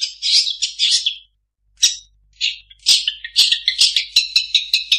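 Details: Long-tailed shrike song imitating other birds: a rich warbled opening, a pause, then sharp clicks and bright chirped notes in a quick repeated series.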